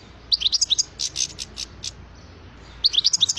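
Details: European goldfinch song: short clusters of bright, high tinkling chirps, a run of quick twittered notes, then another fast tinkling burst, over a steady low background hum.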